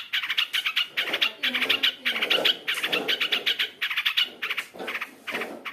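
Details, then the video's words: Long-tailed shrike chatter played to get caged shrikes singing: dense, fast scratchy notes in short clustered runs, almost unbroken, with a faint lower warble underneath. "pancingan cendet gacor full isian | merangsang cendet agar bunyi"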